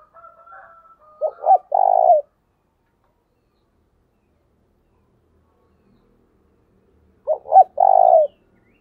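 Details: Spotted dove kept as a decoy, calling: faint murmuring, then two short coos leading into a long rolling coo, repeated after a silent gap of about five seconds.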